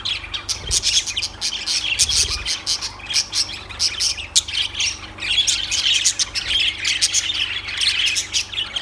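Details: Lovebirds producing a steady stream of high, scratchy squawks and chirps, dense and excited, with short dips in loudness, plus a low thump near two seconds.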